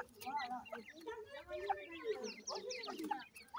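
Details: Teetar chicks during feeding, giving soft harmonic clucks and quick upward-slurred peeps that overlap in a continuous chatter.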